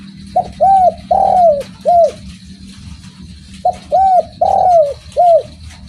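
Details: Spotted dove in full song, giving two four-note coo phrases with a short lead-in note, then two rounded arched coos and a longer drawn-out coo, above a steady low hum.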